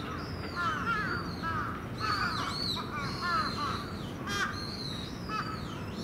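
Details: Crows gathering at their evening roost at Venus Terrace: a string of hoarse, harsh caws, one after another, with thin descending whistles above and a steady rush of wind.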